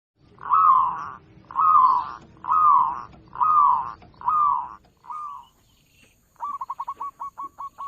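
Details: Local zebra dove with a loud voice, recorded as a lure for bird trappers: five broad, rising-then-falling cooing notes about one second apart over a low rumble, then a short notch and a fast run of clipped staccato notes.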